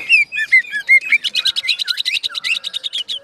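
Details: Greater green leafbird (cucak ijo) in continuous rolling song, popular with Indonesian songbird keepers; clear whistled slurred notes give way to a rapid run of varied sharp chirps and trills, all high-pitched, with no other sounds.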